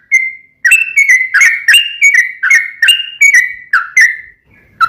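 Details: Actively singing sooty-headed bulbul, played so a caged bird will answer: a single held whistle, then a fluent run of bubbly, swooping whistled notes at a brisk, uneven pace.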